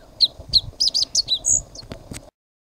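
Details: Kozlov's bunting on its territory in Tibetan Plateau mountains, singing a short phrase of about eight high, clear, chirped notes, some slurred downward, one drawn-out whistled note near the end, then sudden silence.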